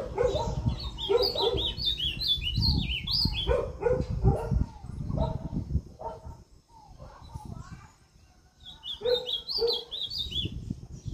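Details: Ultramarine grosbeak from north-east Brazil, Limoeiro do Norte, recorded 20 September 2023, sings rich, warbled whistled phrases that rise and fall, repeated after short pauses, over low rumbling background noise.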